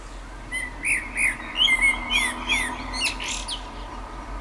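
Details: Common blackbird singing: a run of mellow, warbled fluting phrases in the mid range, each slurring up and down, mixed with sharp high twittery notes and a closing burst of thin squeaky flourishes, over a quiet background hum.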